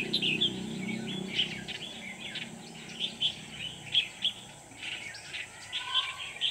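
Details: Trapping with a red-whiskered bulbul decoy, 24 November 2018: the caged bird sings clear, sharp whistled notes in spaced bursts roughly every second to draw in wild birds, over a low hum and faint hiss.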